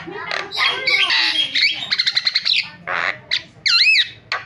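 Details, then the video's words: Starling training recording meant to lure silent or jammed starlings into singing: a busy run of harsh squawks, a quick rattling burst of clicks, then loud swooping whistles that rise and fall. "MASTERAN JALAK SUARANYA BIKIN JALAK PADA TERIAK"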